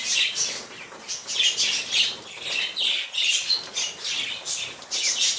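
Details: Colony of tame budgerigars giving rapid, rasping high chatter in rhythmic surges about every half second, with a soft fluttering texture mixed through the calls.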